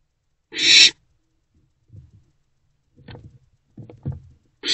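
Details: An owlet in an owl box gives a harsh, hissing screech lasting about half a second, with a second one starting at the end; soft rustling and shuffling fill the gap, around 3 am on 24 April 2024 while it consumes a large rodent.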